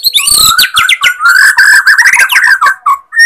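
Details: White-rumped shama of the Borneo form, song played as a lure to rouse sluggish shamas. Rich, varied phrases: sharp clicks and rapid notes at first, then sweet fluting whistles that slide and warble.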